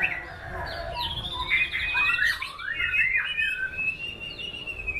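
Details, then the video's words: White-rumped shama giving sweet, high whistled phrases that sweep and wobble, some with warbling trills, ending on a long steady whistle. "Aksi MURAI BATU SNIPER memukau ngeplay dengan irama lagu mewah"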